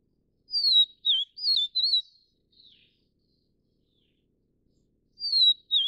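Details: Vivid niltava, subspecies vivida from Taiwan, whistles a four-note slurred phrase and a soft trailing note, then after a pause of about two seconds starts the same phrase again.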